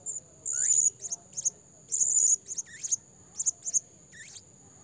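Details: Blue-crowned hanging parrot calling as a trapping lure: piercing high trills in short bursts with a few curling downward chirps and brief clicks between them.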